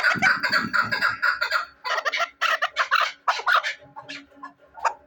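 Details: Chukar partridge kept as a hunting bird, giving a rapid run of harsh, chuckling notes that break into separate loud bursts, about two per second, with short pauses near the end.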